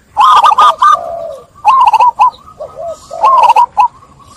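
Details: Zebra dove song played as a lure to get doves stressed by trapping to coo again: bursts of high, rolling, stuttered cooing notes, several overlapping phrases with softer drawn-out coos between, repeated in three loud bouts.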